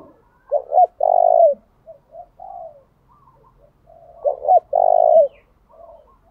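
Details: Low-pitched coo phrases from a decoy spotted dove calling to draw in wild doves, the bird switching song patterns constantly. Two short hoots lead into a drawn-out coo, with quiet gù murmurs between phrases, heard twice.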